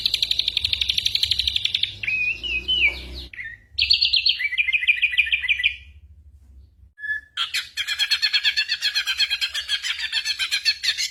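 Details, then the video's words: Mimicking ashy drongo, recorded as tutor material for songbirds like the magpie-robin in moult. Pulsed high chatter gives way to warbled trills, a brief pause, then a long, buzzy, rapidly pulsing series. "burung masteran srigunting abuabu / saeran_abu"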